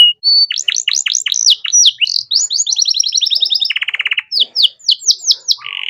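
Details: Canary singing a luxurious master song meant for birds in training. Quick descending sweeps and dense trills, a flat whistle, then a low buzzy rattle followed by spaced loud downward notes.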